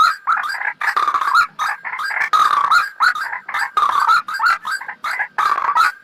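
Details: Lure call of the white-breasted waterhen for bird trapping, made of raucous, throaty croaks delivered in quick series, with short breaks about every second between dense phrases.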